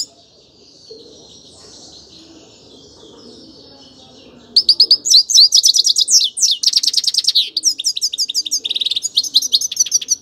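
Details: Soft, murmured warbling gives way to a loud grey-crowned goldfinch song of rapid, high, liquid twitters, rattling buzzes and quick slurred notes that pour on to the end.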